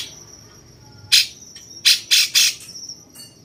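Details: A cucak cungkok bulbul, kept for tutoring champion birds, gives one loud grating squawk followed by three rapid harsh notes, with a faint steady high whine in the background.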